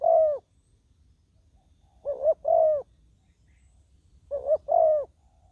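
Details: Spotted dove used to decoy wild doves at ground level; low mellow coos in pairs, a quick lead note then a longer sustained one, repeated roughly every two seconds with little background noise.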